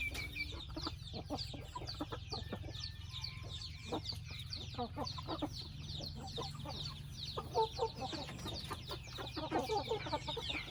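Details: Chickens in a family house chorus, with continuous high descending peeps and clipped clucks, a steady low mechanical hum underneath and a few louder notes near the end.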